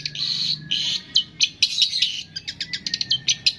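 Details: Long-tailed shrike masteran imitating cililin, greja tarung, lovebird, tengkek and kapas tembak; two drawn-out harsh high screeches, then a loose run of clipped, sharp chips at irregular short intervals.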